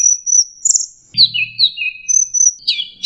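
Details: Orange-headed thrush lure for a stressed, silent bird: thin high whistles held level, then lower slurred downward notes, a pause and a final burst of tumbling phrases; a faint low hum briefly underneath.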